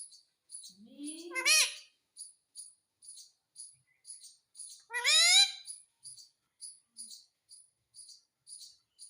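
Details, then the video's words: Talking rose-ringed parakeet, an Indian ringneck kept as a pet, saying "mummy": two harsh, rising, harmonic-rich calls about three and a half seconds apart, between soft repeated clicking or tapping noises. "MUMMY BOLNE WALA TOTA - BOLNE WALA TOTA - TALKING PARROT"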